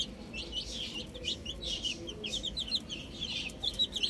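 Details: Baby chicks outside, a steady stream of high chirps and peeps, some rising, with rustling and a low background rumble.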